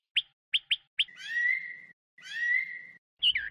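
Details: Several short sharp notes from a Chinese hwamei, followed by two long buzzy, slightly rising drawn-out whistles and a final brief looping phrase.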